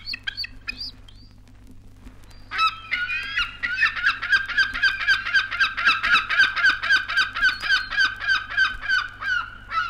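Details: Black-backed gull from a 1960s recording made in Australia, giving a long run of harsh, yelping notes, about four a second, after a few scattered cries; a low steady hum runs beneath.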